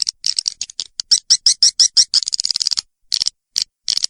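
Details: Swiftlet lure call meant to draw swiftlets in: rapid high chirps and clicks repeated about three per second in uneven runs, then separated by short silent gaps toward the end.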